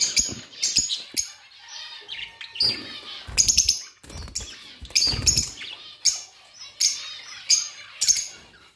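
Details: Budgies chirping in loud, scratchy bursts and sharp high notes, mixed with fluttering and rustling sounds and short quiet gaps between outbursts.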